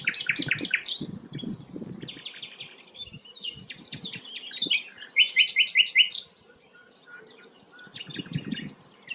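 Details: Rare sikatan londo flycatcher singing a rapid, jumbled medley of high chattering and trilled phrases, some notes repeated in quick bursts, with soft low rumbling in the background.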